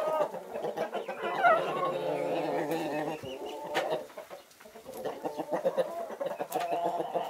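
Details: Chickens, including Naked Neck, Marans and Easter Egger breeds, basking in winter sun. The flock gives overlapping nasal, harmonic clucks and drawn calls throughout, with a brief rising squeal near the start.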